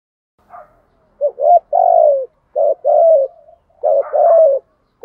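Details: Coo of a spotted dove in the 'thổ' voice, a 'thúc gù' call used to rouse and train newly caught doves. A faint note comes first, then three low hollow pairs, each a clipped note and a drawn-out, slightly descending coo.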